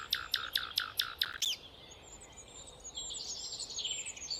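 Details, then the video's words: A nightingale, labelled a rufous nightingale, opens its song with a fast series of about seven loud, ringing notes, then a higher rising flourish, with softer twittering from other birds afterward. "Rufous Nightingale"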